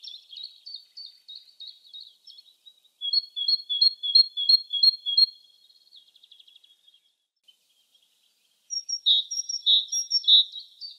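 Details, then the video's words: Wild great tit (Parus major) singing in spring. Soft, quick chirps open the clip, then a clear series of paired whistled notes repeats steadily. After a quiet gap, louder, ringing two-note phrases return. "GREAT TIT singing"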